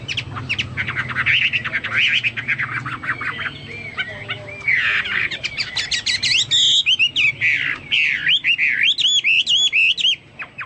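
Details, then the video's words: Chinese hwamei in full, lively song that is likened to the songs of the cucak Papua and cucak mas. The bird moves through rapid chattering notes and rising and falling whistled phrases, with some rough squawky notes between them. "burung hoa mi seperti cucak Papua atau cucak mas gacor"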